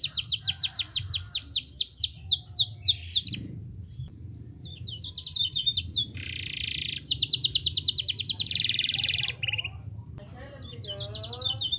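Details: Canary singing to encourage other canaries to join in: long fast trills of sweeping notes, dense buzzy rolls and a mid-song pause, with low background noise throughout.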